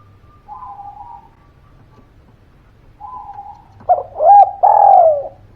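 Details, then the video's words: Spotted dove (tekukur) sounding as a lure to rouse silent birds: soft faint coos at first, then a loud rich phrase of throaty coos ending in a long drawn, falling note, over a low hum. "Suara Pancingan Derkuku Gacor Buat Pancingan Burung Malas Bunyi, Langsung Nyaut"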